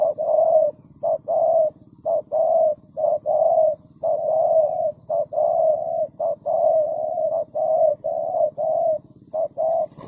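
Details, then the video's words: Spotted dove calling steadily: a long string of low, even coos, short and long notes following one another about once a second, over a soft low background hum. "The Sound of Spotted dove"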